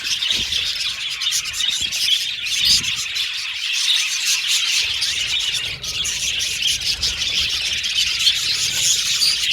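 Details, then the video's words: Caged budgies singing and chirping: a constant shrill twittering chorus from many birds, with quick clicks and scratchy chatter and a brief dip in the noise just before the middle. "Budgies Singing And Chirping Sound"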